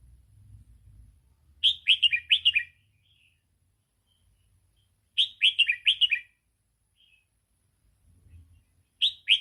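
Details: Red-whiskered bulbul song used for training young birds: short bursts of four or five bright, slurred whistled notes, each phrase about a second long, repeated after pauses of several seconds, with faint low rumbling between phrases.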